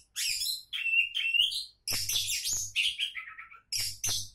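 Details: Prospective champion Oriental magpie-robin in loud, nearly continuous song mixing raspy bursts with clear whistles and a falling phrase, with faint low thumps beneath.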